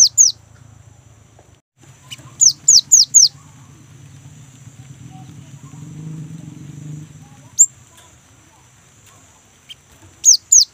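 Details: Energetic young great tit, a lure for kept birds, gives bursts of sharp descending whistles, four in a row, with a lone high note in between, over a soft low rumble.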